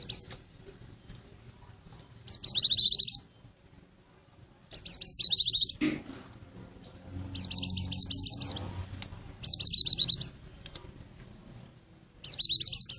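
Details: White-eye song used to lure birds in the forest: short, very high, twittering bursts, each about half a second long, repeated five times with pauses of about two seconds. Faint low rumble underneath.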